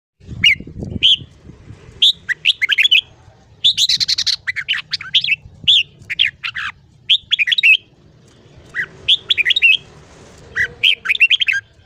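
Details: Red-whiskered bulbul morning song in the chattering 'ché' style, used to train the voice of young birds: bursts of short whistled and warbled notes, mostly high-pitched, repeated in quick groups with brief pauses. A low thump sounds at the start.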